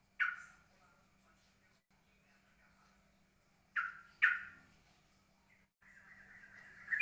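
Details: Yellow-vented bulbul singing in the ropelan style, described as steady and calm: three loud, abrupt burst-like notes around mid-pitch, spaced seconds apart, then a sustained buzzy phrase at the end, with a faint low steady hum beneath.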